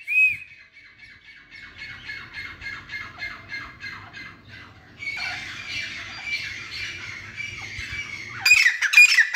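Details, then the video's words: Grey francolin (teetar) giving harsh, shrill notes repeated about twice a second, then a louder, rasping burst, with sharp whistled notes closing the sequence. "Teetar Making Beautiful Sounds | Teetar call | Teetar Voice | Gray francolin Voice"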